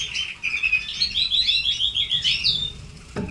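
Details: A red canary sings a rapid string of bright, slurred whistles and trilled notes, steady and loud, ending with a brief knock.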